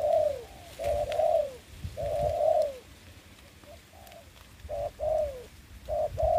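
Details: Decoy spotted dove used on the ground for trapping in the covid season, with loud, rounded coos in short-long pairs that fall in pitch. One quieter phrase comes midway, over faint low background noise.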